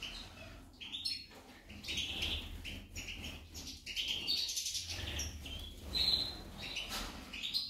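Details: Female goldfinch song of rapid, scratchy high twitters and brief whistled notes in irregular bursts. A low background hum runs beneath the whole passage.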